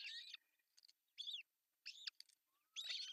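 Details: June 10, 2024, Pohjois Satakunta, Finland: at the artificial nest an osprey gives loud, high, arched whistled calls in four distinct bursts about half a second apart, as the male delivers a big fish for breakfast.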